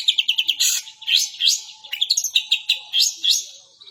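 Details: Long-tailed shrike song imitating other birds, with quick high chips, short rising whistled slurs and scratchy buzzes in a varied, hurried sequence.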